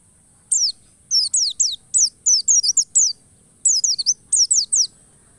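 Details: A white-eye lure song intended to get other white-eyes singing fully and stubbornly: a lively string of thin, very high descending whistles and chips in rapid phrases, broken by one brief pause.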